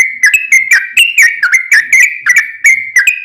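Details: Sooty-headed bulbul singing as a lure for other bulbuls to reply, a fast run of liquid whistled phrases, slurred up and down within a narrow band, each note starting with a crisp click, delivered without a break.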